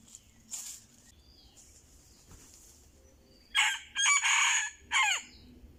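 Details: Red junglefowl lured with a decoy crows once: a loud, harsh, broken crow in four bursts over about two seconds, the last note dropping. Faint chirps from other birds come before it in a quiet outdoor setting.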